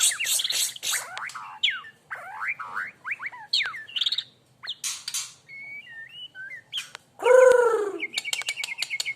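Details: Young white-rumped shama of the Aceh type singing in the style called "Hormat Wasit": a rich, varied run of clear whistles, rising slurred notes and harsh chattering bursts, ending in a loud, low, drawn-out note and rapid ticking.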